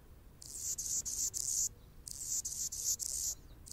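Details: Anna's hummingbird singing while perched on a branch: two runs of dry, buzzy, very high scratchy pulses, each about a second long, separated by a short pause over a soft background hiss.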